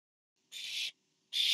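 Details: Barn owl on a webcam, 24 September 2015, as a parent delivers food to owlet number four; two harsh, breathy hissing screeches, the second louder, separated by a short silence.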